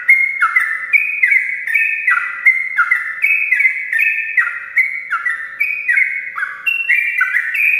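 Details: Long, rapid morning song from a sooty-headed bulbul, with clear whistled notes flipping up and down in pitch in a continuous chain, several phrases a second, over a low steady hum.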